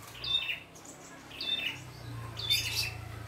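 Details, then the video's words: Red-headed prinia singing vigorously in the wild. Three short phrases of high, bright notes slurring downward, each about a second apart, over a low steady hum. "PRENJAK KEPALA MERAH GOCOR FULL ISIAN"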